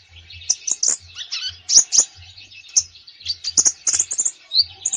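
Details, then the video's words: Common iora (konin) singing hard in full repertoire, a recording for training birds reluctant to sing. Dense, busy phrases of sharp high chirps, slurred whistles and quick rattles run almost continuously. "KONIN GACOR FULL ISIAN"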